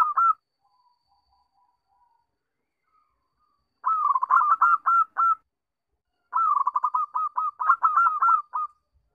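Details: Zebra dove singing, recording meant as a lure to set other doves calling: two long bursts of rolling, stuttering coos ending in drawn-out notes, with quiet soft coos and silence between them.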